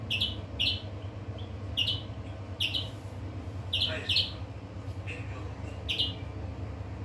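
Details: European greenfinch singing in short bursts of high, sharp chirps and twitters, repeated roughly every half second to second, with a constant low background hum.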